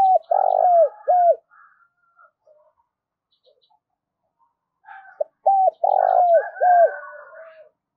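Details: A spotted dove decoy calls to attract wild doves. Two phrases of deep coos, each a sustained rough coo flanked by short arched notes, come several seconds apart, with faint higher whistles around them.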